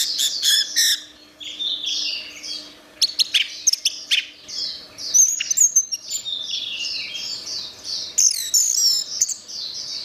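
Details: Masteran of an orange-headed thrush singing gacor, made for tutoring pet songbirds: a long run of fast high chattering and chirping, clicks and quick twittered notes, with steady song and short breaks; a faint low hum behind.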